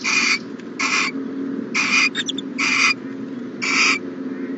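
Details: Owl in a nest box during the morning, 1-14-20: short, grating screech bursts, some close together, plus faint squeaky notes between them, over a steady low hum.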